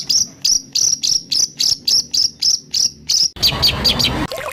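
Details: White-rumped shama 'tembakan kasar' for songbird training: about thirteen harsh, buzzy notes repeated evenly, roughly every quarter second, followed by a noisy, jumbled burst of high notes.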